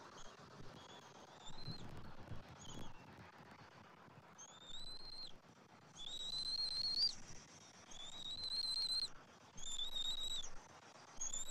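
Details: Bald eagles feeding at the nest, 27 January 2024, father bringing fish and red meat to an eaglet; quiet start, then long, thin whistles rising slightly, about one per second in the second half, over hiss.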